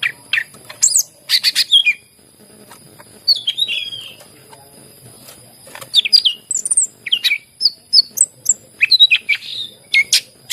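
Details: Greater green leafbird singing to set off reluctant birds: loud chirp bursts, a run of slurred whistles, a quieter gap, then rapid repeated chirping notes toward the end, over a thin steady high hum.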